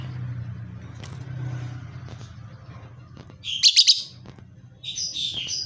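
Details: Lovebird without a mate uttering a burst of sharp high squeaky chirps, then after a pause a harsher buzzy chatter, against a low background hum.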